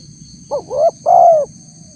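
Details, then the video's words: A single close spotted dove phrase for luring wild doves: a short rising note, a swelling upslurred coo, then a long mellow coo easing downward, with low rumble beneath. "suara tekukur PALING DI CARI untuk memancing respon tekukur liar"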